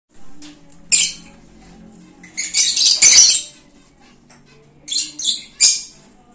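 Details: Lovebirds returning to their cage give harsh, high, buzzy squawks in about four short bursts, close together, with a faint low hum behind them.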